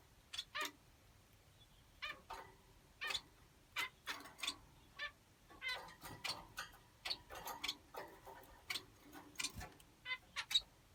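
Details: Finches calling with short, sharp nasal chirps spaced about every half second to a second, some in quick pairs, over a quiet background.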